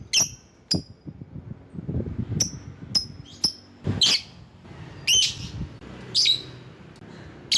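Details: Lovebird calling, used as bait for rival birds: scattered sharp, high chirps and clipped whistles, some single and some harsher and doubled, about one per second, over low indoor noise.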